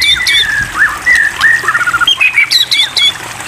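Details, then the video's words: White-rumped shama singing in a varied run of whistled phrases, looping slurs and short upturned notes, rich and continuous, with a steady hissing background. The song is played to prompt other birds to sing. "terapi air murai batu makin tambah gacor"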